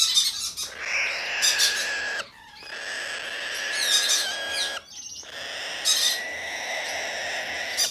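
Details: Hand-tame Blue-eyed cockatoo bred in Japan, recorded 6 December 2019: loud, rough screeching in long sustained bursts broken by two brief gaps, with a steady hoarse tone and crackly upper edges.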